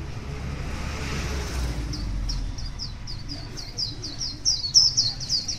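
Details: Wild white-eye singing in the morning: after a quiet start, a rapid series of high, thin, downslurred chirps repeats about three to four per second, growing louder toward the end over low rumbling background noise.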